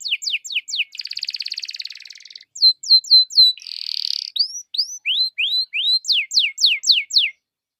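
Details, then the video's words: Pancingan canary song played to provoke other canaries to sing: quick falling whistles, a long buzzy roll, more clipped sweeps, a second buzz, then rising and steep falling notes repeated roughly four times a second. "PANCINGAN KENARI GACOR"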